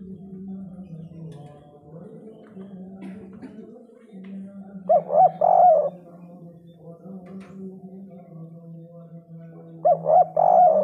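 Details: Spotted dove calling in the three-note 'kuk 3' style: two brief bursts of hollow, arched coos, separated by about five seconds of low droning hum and faint background noise.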